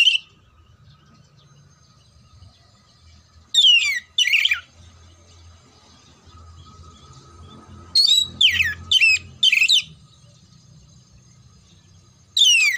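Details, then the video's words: Oriental magpie-robin song played to prepare kacer for contests: widely spaced bursts of sharp down-slurred whistles and buzzy notes, in groups of two to four, separated by several seconds of near quiet with faint low hum. "TERAPI SUARA KACER KHUSUS BUAT MELATIH MENTAL KACER SIAP LOMBA"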